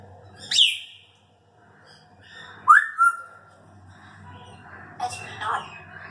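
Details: Four-year-old female Congo African grey parrot kept as a pet, known for sound effects and talking, gives three short sharp whistles. Each rises steeply, and one ends in a drawn-out level note. Low hum runs underneath.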